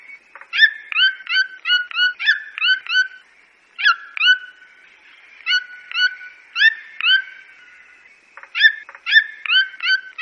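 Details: Red-billed toucan from Brazil giving yelping calls: quick runs of harmonic, upward-kinked yelps, several per second, broken by short pauses, with a faint steady hum in the background.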